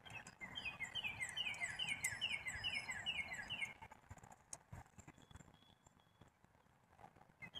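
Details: A black-capped chickadee gives a run of rapid, downslurred harsh notes for nearly four seconds, steady in pace, before quieter outdoor ambience takes over.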